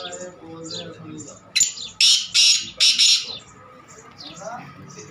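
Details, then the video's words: Black francolin calling with four loud, harsh, rasping notes in quick succession, the later ones longer, while faint high chirps of small birds continue around it. "Teetar Voice Kala teetar Teetar ki awaz black Teetar ki boli Teetar Sound kala teetar"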